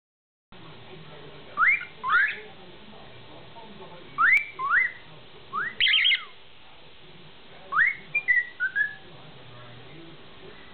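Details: A male cockatiel starts whistling short rising notes in pairs and little runs, with quiet pauses between phrases, then stops, distracted by the camera.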